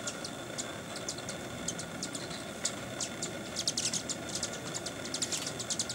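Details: Broad-tailed Hummingbirds at Sandia Crest, Sandia Mountains, 7 August 2011, giving sharp, very high chips, scattered irregularly and bunching into quick runs, over a steady rushing background hum.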